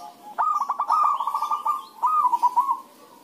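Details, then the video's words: Zebra doves (perkutut) singing back and forth as a lure to prompt other doves to sing: two mellow cooing phrases, each opening with quick staccato stutters and then running into a smooth, steady, slightly wavering trill. "pancingan suara perkutut rame"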